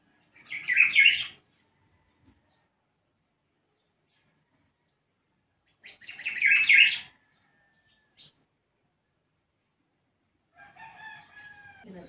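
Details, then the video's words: Black-naped oriole (kilyawan) calling with two separate harsh, grating bursts about five seconds apart; a fainter, different bird call enters at the end. "SOUND OF BLACK-NAPED YELLOW ORIOLE/KILYAWAN"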